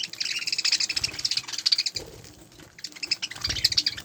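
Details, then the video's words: Several budgerigars chattering together: dense, rapid high warbling and chirping notes in bursts, with brief quieter gaps and some low knocking sounds. "طيور البادجي اسبانجل كلهم"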